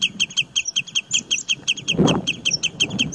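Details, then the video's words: Rapid high chirping from a bird, paired bright notes tumbling quickly one after another, with occasional sweeter whistled notes mixed in and a burst of low background noise midway. "Amazing bird voice"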